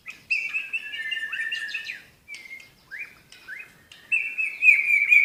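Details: White-rumped shama of the Medan type delivers a tembakan song burst: rich whistled phrases with sliding notes, short pauses between bursts, and a louder rising warble at the end, with no other sound in the background.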